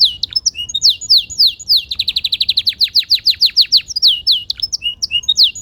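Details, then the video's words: A canary sings a rapid, bright song of whistled notes, including a fast trill of about twenty descending notes in under two seconds. "Relaxing melodious bird sounds"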